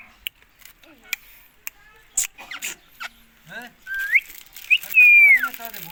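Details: Indian ringneck parrot giving loud, clear whistled notes in the last two seconds: a rising slur, a short upward flick, then a long level whistle that drops at the end, after quiet clicks and soft chatter.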